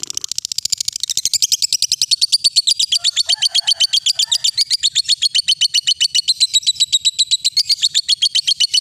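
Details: Lovebird giving a ngekek song, used as a lure recording to train young and adult lovebirds: a long, unbroken, high chattering trill of rapid, evenly pulsed notes that starts dense and blurred and then steadies into distinct beats.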